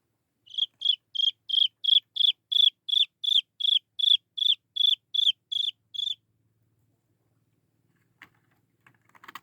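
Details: Young Chinese francolin calling for its mother, giving about fifteen evenly spaced, high, buzzy peeps in quick succession, each dropping slightly in pitch, then falling silent, followed by a few faint clicks and rustles.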